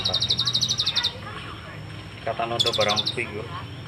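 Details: Kolibri ninja sunbird with cililin song fill: a fast run of high buzzy pulses, a pause with scattered chirps, then another quick pulsed trill mixed with lower chattering notes.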